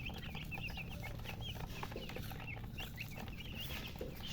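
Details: Several baby chickens, colour chicks, cheeping for water out of thirst: dense overlapping high peeps, each a short downward slide, pouring out almost continuously with a low rumbling hum beneath.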